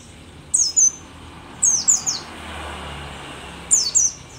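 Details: Mountain white-eye (pleci dakun, called a rare endemic of Merapi), an old bird in lively song: three brief bursts of high, sharp, downslurred chirps, each pair of notes roughly a second apart, over a low steady hum.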